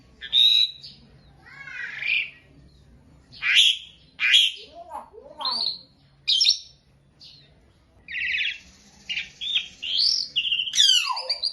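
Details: Asian pied starling, a beginner, in a tutoring recording: loud raspy, grating bursts alternate with sliding whistles and pauses, ending in a harsh descending squeal. Faint hum underneath.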